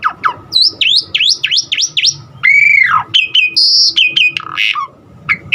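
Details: Singing Asian pied starling with a variety of imitated fill-in sounds to stimulate other starlings: quick repeated V-shaped whistled sweeps, then a loud arched slurred whistle, followed by high squeaks and short chattering notes.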